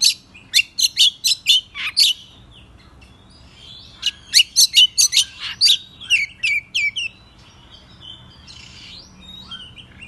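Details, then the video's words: Agitated Oriental magpie-robin singing in the morning with spread tail: two bursts of loud, rapid, scratchy high notes, each about eight strokes, followed by quieter warbles and a short buzzy phrase. "Pancingan Kacer Bikin Emosi Agar Kacer Gacor ! Buka Ekor Ngobra - Suara Murai Cacing"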